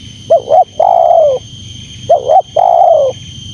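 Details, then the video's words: Two repeats of a spotted dove's call aimed at wild rivals: a rapid wavering two-part note, then a long hoarse coo dropping slightly in pitch, with a constant faint electronic hum behind. "Suara Terkukur Menekan Rapat Lawan Pemancing EMOSI Terkukur liar"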